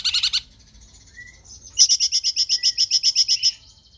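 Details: Cungkok in vigorous song for coaching other cage birds: a brief rattle, a thin whistle, then a crisp volley of about a dozen sharp high chips in under two seconds.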